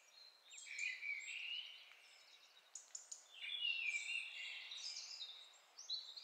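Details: Mistle Thrush song recorded with a homemade parabolic microphone: loud, fluty phrases mixed with harsher, scratchy notes in short bursts with brief pauses, over light background hiss.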